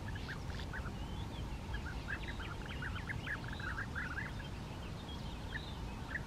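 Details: European bee-eater (Merops apiaster) on the bank of the Bečva River, where it came to pick up sand grains for its gizzard; a busy series of short, rolling, mid-pitched notes, often in quick pairs, over a steady low rumble.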